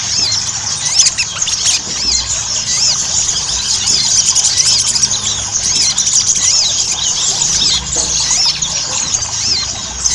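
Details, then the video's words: Ruby-cheeked sunbird used as a singing lure, its voice a bright, rapid chatter of tiny looping whistles and squeaks, dense and overlapping from start to finish. "PANCINGAN SOGON AGAR CEPAT GACOR"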